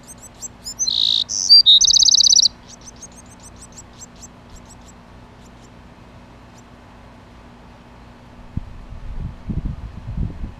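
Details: A male Bewick's wren guards his nest with one quick phrase of buzzy and whistled notes ending in a rapid trill, followed by a long quiet stretch and some low thumping noises.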